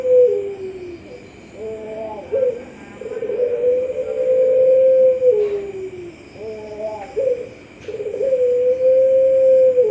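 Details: Puter Pelung dove judged best in an October 2021 online song contest in Sragen, repeating its pattern: a quick stepped, quavering intro followed by a long, level, mellow coo, twice over ten seconds.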